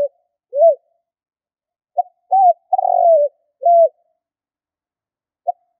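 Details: Spotted dove decoy calling for trapping: an arched coo, then a phrase of clipped note, humped coo, long tremulous downward coo and final arched note, ending with another clipped note, in a clean, quiet recording.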